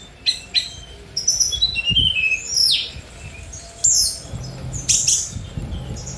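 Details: Sunda robin song: fast high whistles and buzzy downslurred notes, sharp vertical chips and descending sweeps in quick varied bursts, with a faint low rumble in the background.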